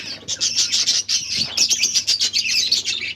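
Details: Finches kept as pets, eating their favourite egg food on October 21, 2023, chirp in rapid, rhythmic high notes, many birds overlapping in a bright chatter.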